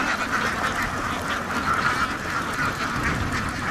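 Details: Steady din of many ducks at a duck farm, raspy quacks overlapping constantly in a short, unbroken burst.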